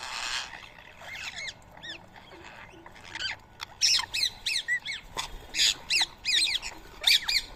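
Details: Flock of Rose-ringed parakeets feeding on soaked boiled rice in Coimbatore, India, early morning, 31 March 2024; shrill rasping screeches, sparse at first, then loud calls repeated roughly every half second toward the end.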